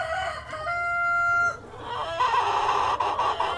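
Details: Cockerel among hens gives a long, level, strongly harmonic crow-like note lasting under a second, then the flock breaks into busy overlapping clucking.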